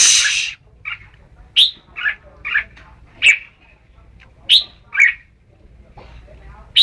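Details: Red-whiskered bulbul singing brief chirpy whistled phrases at uneven intervals, opening with a short burst of rustling noise.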